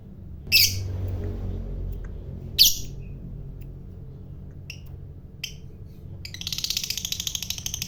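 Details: Fighter-type lovebird, whose long chatter is said to provoke other lovebirds: two harsh squawks, two faint chirps, then the start of rapid pulsed high chatter.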